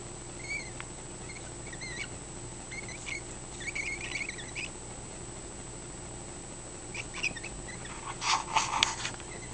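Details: Pet lutino cockatiel, believed female but showing male behaviour, giving short chirped calls with rising and falling inflections in scattered bursts, then a louder cluster of rapid harsher notes near the end, over a steady background hum.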